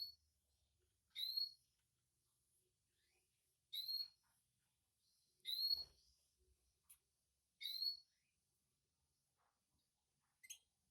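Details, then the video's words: Canary chick begging while its mother feeds it twice: short, high, sharp chirps in clusters, repeated about every two to three seconds, with silence between them. "Mother Bird Canary Feeds Its Baby Bird Twice"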